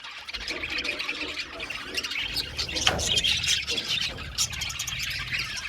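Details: Budgerigars in an aviary colony chirping together: dense, overlapping high chatter of rapid scratchy notes and squeaks, with low rumbling background noise underneath.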